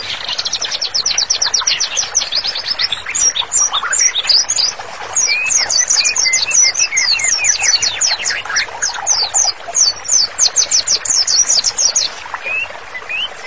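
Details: White-rumped shama master song for therapy: long runs of rapid, evenly repeated high chattering notes forming trills, with occasional short rising whistles between them.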